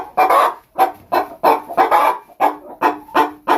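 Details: Brahma chicken, a kept laying hen in England, gives a rapid run of short, hoarse clucks, about nine in under four seconds, each a brief nasal burst with a faint musical tone beneath.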